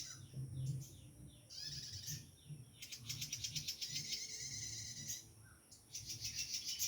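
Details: Prinia in the wild, where the birds remain plentiful: sharp high chirps followed by fast, rattling buzzy trills in several bursts, with faint low rumbling underneath.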